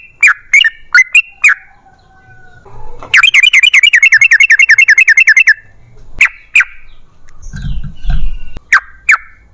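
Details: Lure song of a lively yellow-vented bulbul, meant to make other bulbuls sing: a few separate liquid chirps, then a rapid, even trill of wavering notes for two seconds, more single chirps and some faint low rumbling.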